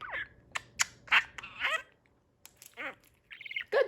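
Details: A pet male budgerigar, kept about a year, chatters short, buzzy, speech-like phrases in a high, scratchy voice, such as "Excuse me auntie ..., drink water".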